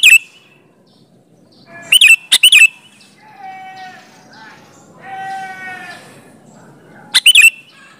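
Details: Sooty-headed bulbul song used to lure answering bulbuls: short bursts of quick whistled notes at the start and end, separated by steadier, drawn-out tonal sounds in the middle.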